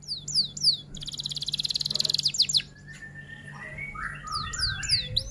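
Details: Energetic F1 canary song in roll and 'tembak' style for tutoring young birds: paired rising whistles, a long pulsing buzzy trill, softer warbled phrases, then more sharp upward sweeps.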